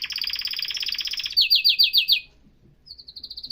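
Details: Canary song: a fast rich trill, then five loud separate down-slurred notes, a short pause, and a softer high rapid trill.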